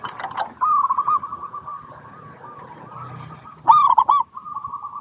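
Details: A local zebra dove sings to coax other zebra doves into song. Brief coo notes open the recording, a low purring coo continues, then one loud burst of rapid ringing notes follows.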